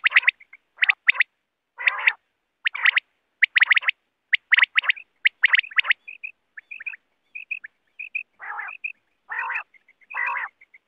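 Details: Quail call used as a hunting lure: clustered harsh, rasping bursts repeated about once a second, then short high clipped whistled notes in pairs and triplets interspersed with a few more rasps; no other sounds.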